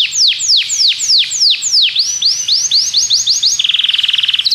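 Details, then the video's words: Belgian canary singing to train other canaries: loud downward-sweeping whistles about four per second, quickening into shorter notes and ending in a fast flat trill. "Canário belga seduz todos os canários para cantar - treinamento de canário"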